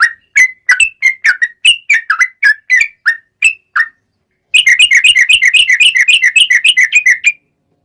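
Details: Lively yellow-vented bulbul with a long 'ropel' song for luring other birds to sing: a series of separate slurred whistles, then a short gap and a fast, even burst of rapidly repeated bright notes.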